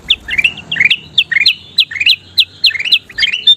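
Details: Gacor kutilang emas bulbul singing for tutoring caged songbirds: crisp, quick upslurred chirps grouped in short bursts, with small gaps between them and a thin sustained whistle at the end.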